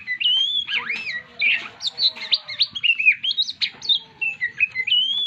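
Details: White-rumped shama under stress, being encouraged back to song, producing a lively run of varied whistled phrases, rising and falling slurs and buzzy chirps, with a faint low hum behind.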